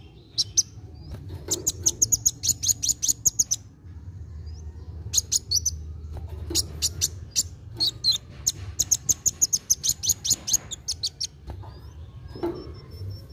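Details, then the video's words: Kolibri wulung sunbird in energetic, rapid song meant to stimulate young birds to sing: several long bursts of dense, very high ticking chips, each lasting about two seconds and separated by short pauses, over a low hum. "KOLIBRI WULUNG GACOR NARUNG CEPAT MERANGSANG BUNYI BURUNG BAKALAN"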